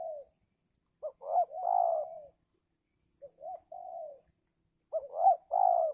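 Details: Spotted dove calling during an attempt to lure wild doves in the giring season, when wild birds are reluctant to come down. Its soft, hoarse coos come in three-part phrases, a short note, a rising note and a long drawn coo, repeated with pauses.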